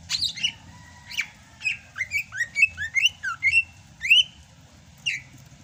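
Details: Greater green leafbird of Sumatra, singing strongly in the rainy season: a fast run of bright, slurred whistled notes, mostly downward-curving, strung into a lively repeated phrase, then a few scattered notes.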